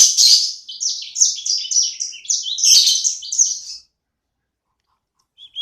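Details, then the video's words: Sanger bird, a small kept singer described as gacor. Nearly four seconds of quick, high, stepped chirping notes end abruptly, then silence, with one faint note at the very end. "Burung sanger ku ( sikecil gacor )"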